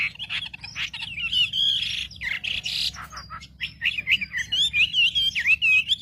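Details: Provoking song of a wambi: harsh buzzy bursts mixed with whistles, followed by a long, quickly wavering whistled trill that rises and dips, over a faint low hum.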